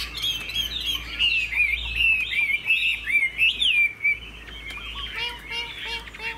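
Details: A kept, long-bodied, tall-standing Chinese hwamei (Garrulax canorus) pours out a loud, rich song of fast, varied whistles and slurred trills, flicking and beating its tail while singing, running continuously without pause; faint chirps in the background.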